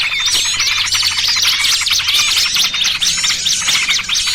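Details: Combined lure for catching small birds, noisy trucukan with pinched small-bird calls: fast, frantic high twittering and repeated sharp V-shaped chirps from a crowd of birds, closely packed and continuous.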